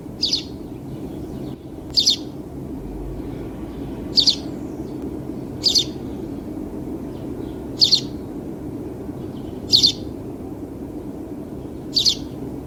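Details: House sparrow calling: brief high chirps, each a quick double note, repeated about every two seconds against a constant low murmur of background noise.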